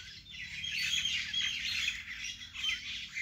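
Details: Birds singing in a vegetable garden: dense, high chirps and twittering notes overlapping continuously, no quiet gaps.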